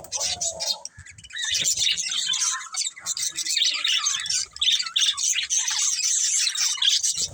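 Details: A group of pet budgerigars, a family, chirps and squawks in rapid, irregular bursts of scratchy warbling, after a brief low tone at the start.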